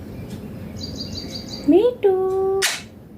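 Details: Talking Indian green ringneck parrot: a sliding, upward-swept syllable, a held level note, then a sharp noisy burst, with a soft repeating high chirp pattern behind.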